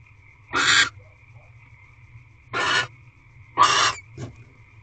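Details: Female barn owl in a nest box, evening of 1 March 2023, feeding on a rodent gifted by her mate; three rasping, breathy screech bursts roughly a second apart, then a short click, with constant low hum behind.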